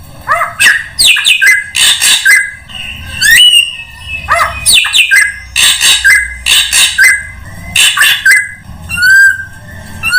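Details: Drongo sound played to lure all kinds of birds: loud chattering runs of harsh, buzzy notes mixed with rising whistles, repeated in similar phrases, ending in a thin rising whistled trill.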